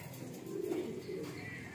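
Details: Pigeons kept in a loft and let out to fly; a low, drawn-out coo swells in the middle, with a shorter one after, against a constant noisy hum.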